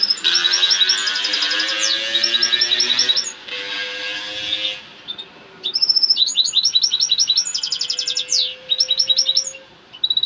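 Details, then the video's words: European goldfinch singing excitedly: dense, rapid liquid twittering and buzzy rattles with a brief gap midway, accompanied by low steady tones in the background. "Saka ötüşü kızgın ötüm"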